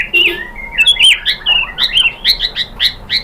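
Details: White-rumped shama, a provoking song used to stir other shamas into singing: a rapid, varied run of whistled and chattering notes, rising and falling, delivered in quick bursts of about three per second.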